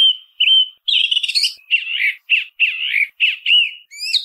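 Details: Song thrush singing: two level whistles, then a harsh, scratchy burst. A series of short, buzzy, chuckling phrases repeats at regular intervals, ending in high thin notes.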